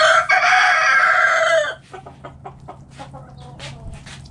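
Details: Rooster in a backyard coop where chickens are eating, crowing loudly and harshly for under two seconds, then a run of quick, short clucks and pecking sounds over a steady low hum.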